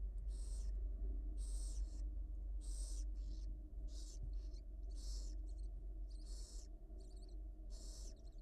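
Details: Hungry wild barn owl owlets in their nest at the University of Florida as the mother feeds them; rasping, hissy screeches, each about half a second, coming in a steady series near once per second, with a constant low hum underneath.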